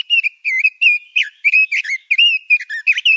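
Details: A male red-billed leiothrix (Pekin robin) on a songbird-training master recording sings a continuous, lively sequence of clear, slurred and rising-falling whistles, delivered at a fast, uneven pace.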